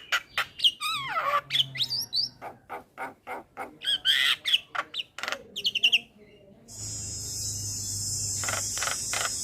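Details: Male Javan myna calling to companions, used as a lure for catching mynas: rapid run of harsh clicks and squawks with looping whistled notes, the bird's voice cut off near the end by a steady electrical hiss and hum.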